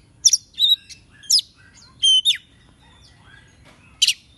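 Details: An Oriental magpie-robin used as a lure to call wild birds sings clear, high whistled notes and quick sweeping phrases with short pauses between.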